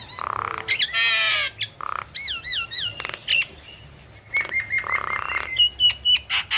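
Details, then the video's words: Javan myna singing vigorously while bobbing its head, its song meant to provoke reluctant mynas into answering: harsh rasping bursts alternate with looping, wavering whistled notes and sharp clicks, ending in a string of short nasal notes. "Jalak kebo Gacor Manggut Manggut Memancing Emosi Jalak Kebo Malas Bunyi Langsung Nyaut"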